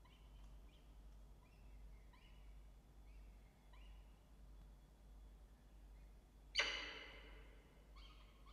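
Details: Peregrine falcons at a nest box on a live nest camera: soft, high chirping notes repeat about twice a second, then one loud, harsh, rasping cry, over a steady low hum.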